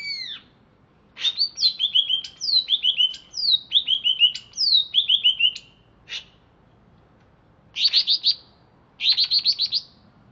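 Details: Wild-caught greater green leafbird from Alas Purwo, Banyuwangi, singing just after being bathed: bright whistled phrases, each a high note sliding into a quick descending run of chirps, repeated in series, then buzzy rattling bursts; quiet background.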